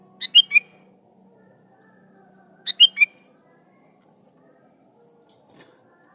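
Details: Sooty-headed bulbul calling rivals with energetic song to make wild bulbuls answer; two short chirpy phrases of three to four notes, some seconds apart, then quiet with a soft low hum.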